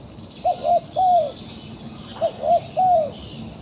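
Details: Wild dove caught in a trap yet still fighting: two low cooing phrases, each two short arched notes followed by a longer drawn-out coo, about a second apart, over steady high insect buzzing.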